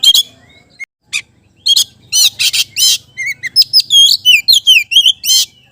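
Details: Energetic Oriental magpie-robin song meant to get other magpie-robins singing, opening with harsh buzzy bursts, then a rapid run of clear whistled slurs and twittering notes rising and falling.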